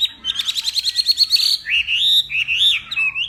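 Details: Northwest Vietnam hwamei singing in a contest during morning voice practice; a fast trill of about a dozen repeated sharp notes, then looping whistled phrases that swoop up and down.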